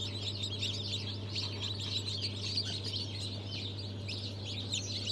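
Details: Newly hatched chicken chicks of Brahma, Fizan, Australorp and Legbar breeds, hatching on 3 March 2023, give a dense, continuous chorus of thin, high peeps that blur together over a steady low mechanical hum.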